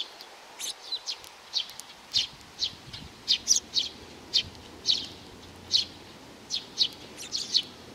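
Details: Young sparrow giving short, high chirps about every half second. The chirps come in a fairly steady series over a quiet, low background hiss.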